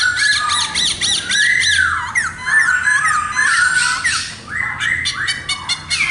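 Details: Singing khướu mun laughingthrush pours out arched whistled slurs that rise then fall, mixed with fast stuttering trills and harsh buzzy notes, in a continuous rich phrase.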